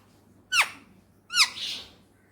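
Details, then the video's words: Pet male ringneck parrot, an Indian rose-ringed parakeet kept in Pakistan, gives two sharp harmonic squawks with falling tails about a second apart, with a faint low hum behind. "talking parrot Mitthu || funny parrots video میٹھو بیٹے بولنے والا طوطا"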